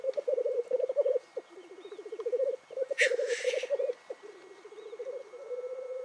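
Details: Black grouse lekking one morning in the Cairngorms National Park, males displaying, calling and fighting; rapid low bubbling rolls in repeated bursts, broken by a loud hissing sneeze midway.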